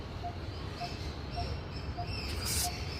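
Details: Coppersmith barbet perched about ten meters above a building, giving a steady series of low, hollow single 'tuk' notes, one roughly every 0.6 seconds, over a constant hiss of background noise.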